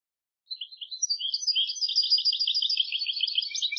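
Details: European goldfinch song from a tutor recording for teaching young birds to sing: after a short silence, rapid liquid twittering and tinkling notes run in a fast, jumbled stream without pause, with a clean, quiet background.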